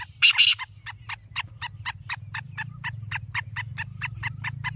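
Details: Black francolin: a harsh, scratchy burst of two notes opens, followed by a steady run of brief clicking pulses about four a second, over a low droning hum.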